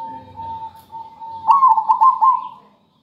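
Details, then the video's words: Zebra dove song used as a lure for training other birds: a steady, drawn-out mid-pitched note leads into a quick series of rolling, pulsing coos that fade away. "Suara perkutut gacor buat pancingan"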